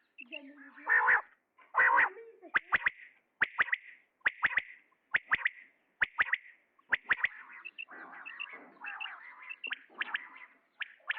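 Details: Male common quail calling in quick triplets of sharp, clipped notes, repeated about once a second through the middle. Loud hoarse blurts open the recording, and rougher chattering calls follow toward the end.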